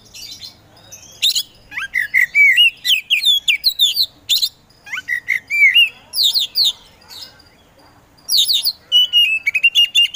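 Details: Caged Oriental magpie-robin (kacer) bred for songbird competitions, singing a fast varied gacor song: dense run of bright slurred whistles, clicks and warbles, a brief pause, then a sustained high whistled trill.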